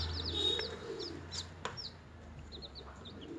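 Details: Newly hatched chickens feeding, clear high downward-sliding peeps repeated about four per second, a few chicks calling with a faint low hum and a sharp knock in the background.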